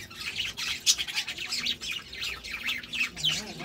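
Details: Paired budgerigars chirp and squeak in quick, irregular bursts, high scratchy notes following one another almost continuously.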